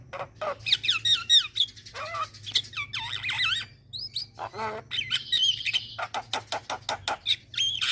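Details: Starling calls used as a lure, a busy medley of squeaky whistles, wavering slurred notes, mimic-like squeals and fast harsh chattering bursts, almost without pause.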